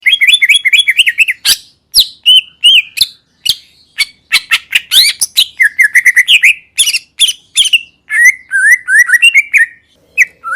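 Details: Greater green leafbird singing a loud, varied song: clusters of fast chirps and warbled whistles around mid pitch, rapid sharp clicks and high buzzy notes, bursts separated by short pauses, no other sounds.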